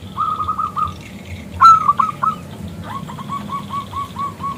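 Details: Local zebra dove with a crystal voice calling a male to sing; brief run of quick coos, a loud sharp rising burst, then a slower series of soft, evenly spaced cooing notes.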